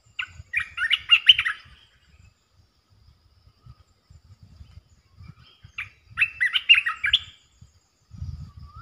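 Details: A red-eyed bulbul, the resident territory holder, comes in to display and gives its calling phrases: two bubbly, rapid warbled bursts about five seconds apart, with quiet low thumping in the background.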